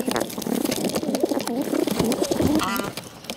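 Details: Close, loud begging from hungry bottle-fed pigeons: throaty wavering whines with a buzzy edge, short sliding notes, and wet clicking from feeding.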